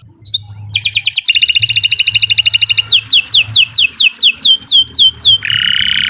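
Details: Canary, Kenari Nusantara, singing a long training song for other birds: a brief rising note, a rapid buzzy trill, a series of loud descending whistles, ending in a rasping buzzy burst.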